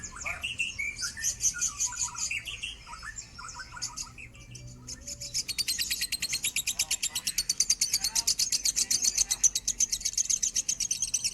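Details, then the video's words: Lovebird song in the standard-tone style for tutoring birds. Scattered lower chirps and twitters from other birds come first, then a dense, high-pitched rapid chatter of evenly spaced pulses runs for the second half. "suara burung lovebird minor nada standar"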